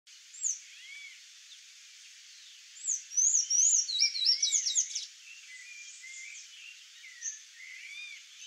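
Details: Sayaca tanager song: a dense burst of high, squeaky, rapidly twittering notes in the middle, with scattered thin chirps before and after against a steady hiss.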